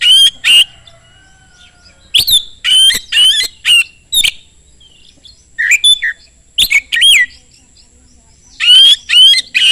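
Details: Oriental magpie-robin in fast, loud lure song to make other magpie-robins answer; rapid clusters of whistled slurs and harsh buzzy notes, about two per second, with brief pauses.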